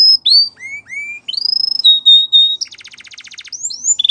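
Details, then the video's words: Canary song made of varied whistled notes, rising and falling slurs, a long steady whistle, and a fast buzzy trill, closing with upward-sweeping whistles. "Canary Singing Birds Sounds At Its Best"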